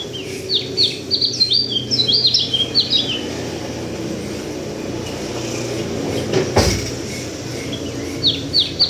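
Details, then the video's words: Local Sulawesi white-eye gives a quick, high twittering phrase of downslurred chirps lasting about three seconds. A long stretch of rumbling background noise with a sharp crack follows, then a short final burst of chirps. "Pleci lokal sulawesi"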